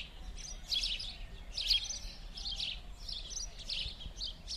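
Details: House sparrows playing in winter on a Verdun street in Montréal, 16 January 2016; rapid, uneven chirping from several birds, loud scratchy bursts about once a second, over a continuous low urban drone.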